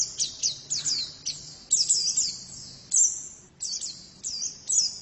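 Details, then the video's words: Female white-eye song of thin, very high descending whistles in short clusters, separated by brief pauses, over faint low background noise. "Pleci betina sangat bagus suaranya"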